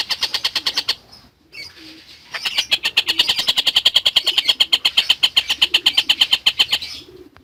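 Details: Collared kingfisher chattering as a lovebird tutor: a short burst of harsh notes, a near-silent gap with a few faint calls, then a long, rapid rattling run of kek notes lasting about five seconds.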